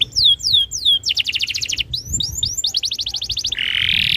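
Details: Tutor song of a canary meant to prompt other canaries to sing: three falling whistled sweeps, then a rapid chattering trill, clipped rising notes, another fast trill, ending in a sustained buzzy rasp.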